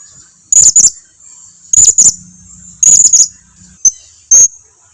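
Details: Blue-crowned hanging parrot lure call for drawing answers from other birds: paired high buzzy chirps repeated three times, then two single sharp high notes.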